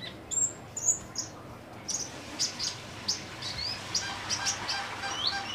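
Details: Kolibri ninja sunbird kept in a cage and in active song: sharp high chirps, then a run of quick upward-sweeping squeaky notes about two per second, over steady low background hum.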